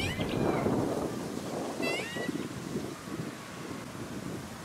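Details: Black swan (Cygnus atratus) at a small artificial lake on the Sunshine Coast, Queensland, in November 2017, giving two high, wavering bugled notes about a second and a half apart, over steady low rumbling background noise.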